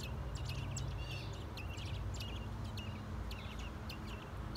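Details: Mother bird feeding her newly hatched babies in a clay nest box; many short, high chirps tumble over one another in rapid bursts, with a steady low rumble of background noise throughout.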